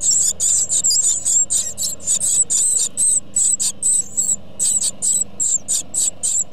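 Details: Great tit nestlings being fed by their parents give a chorus of very high, hissing squeaks in quick bursts, about two a second, over a low steady hum.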